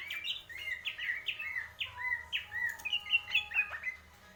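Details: Greater green leafbird, purwo mendem gadong style, pouring out a fast chain of mellow falling whistles, then higher rapid chirps, with a low hum behind.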